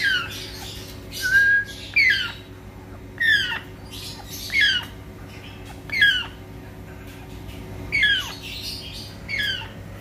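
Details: African grey parrot kept in captive breeding, giving loud harsh squawks that sweep downward, repeated roughly every one to two seconds in short bursts, with a steady low hum in the background.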